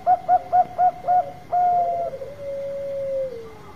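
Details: Zebra dove of Bangkok strain singing a lure song: five short, evenly paced coos, then a longer held note flowing into an extended purring trill that dips at its end; faint steady hum.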